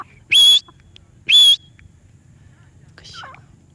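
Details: Parrot producing two sharp, high whistled calls about a second apart, followed by a faint, softer twisting chirp and then quiet.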